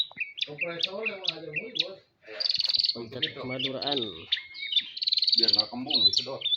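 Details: Caged long-tailed shrike of the Madura type singing a varied stream of high chirps, thin whistles and rapid trilled buzzes, with men's conversation clearly audible throughout.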